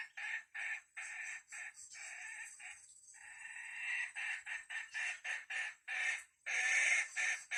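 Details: Wild red junglefowl lured with a decoy bird in forest: a rapid run of harsh, clipped clucking bursts with a longer drawn-out rasping phrase near the middle, then more choppy bursts, over a faint high insect hiss.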